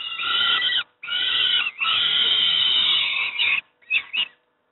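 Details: At Moszna, Pruszków in Poland, young peregrine falcons fed their breakfast utter rough, buzzy screeching in three long bursts, ending with two short clipped squeals.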